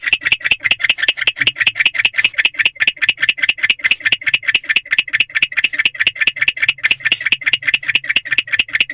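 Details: At around 4:00 am inside an owl box, a male barn owl chirps and calls; the pair has been mating and the female is using a separate box. Dense run of harsh, ticking pulses that repeat rapidly without pause.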